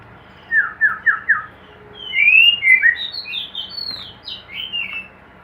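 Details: White-rumped shama singing in a hanging cage: a quick series of four lower slurred whistles, then a rich varied run of high looping, warbling whistled phrases rising and falling.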